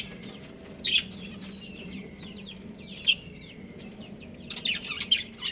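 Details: Breeding pair of budgies with sparse, high chirps. Soft scratchy notes run under a steady low hum, and loud sharp chirps break out about every two seconds.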